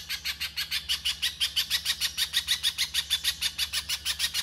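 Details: Little spiderhunter delivering 'konslet' chatter for rough masteran, a steady, insistent rattle of harsh high notes near six per second, with a faint low hum throughout.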